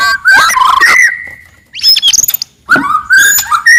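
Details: Aggressive, very loud song of a wild white-rumped shama, used to provoke rivals: harsh buzzy phrases with long clear whistles, a quick rattle of short notes, then more whistled and scratchy phrases.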